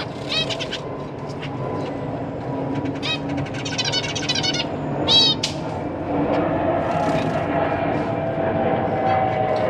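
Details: Captive zebra finch family in a large cage, parents busy feeding their newly fledged young. Nasal, buzzy, stacked calls come in rapid clustered bursts through the first five seconds, with one louder call near the end of the burst. A steady noisy background hum follows.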